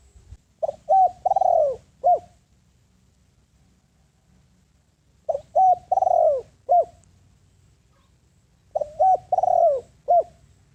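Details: Spotted dove used as a ground lure bird, calling to draw in wild doves: three mellow cooing phrases, each a short note, a doubled coo, a long drawn falling coo and a clipped final coo, repeated about every four seconds.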